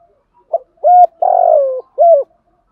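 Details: Decoy spotted dove cooing in the 'thúc gù giọng thổ' style meant to stir wild males into calling: a soft short note, then three hollow, mid-pitched coos, the middle one long and slightly falling, on a quiet background.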